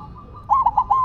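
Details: Silver zebra dove on the ground delivering one loud phrase of four quick, bubbly coo notes, the last drawn out, after a brief spell of soft background cooing.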